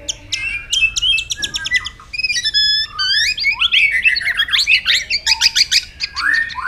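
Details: White-rumped shama, a provoked bird in competitive singing, delivering a varied, rapid song of sharp repeated notes, buzzy trills and sweeping whistles, with quick clicking phrases between bursts.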